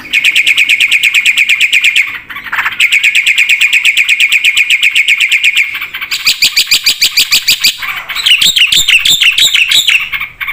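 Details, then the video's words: Black-winged starling singing a 'full isian' song with long, steady trills of rapid chattering notes, a short harsh break, then wavering up-and-down whistled notes toward the end. "suara burung jalak putih gacor full isian"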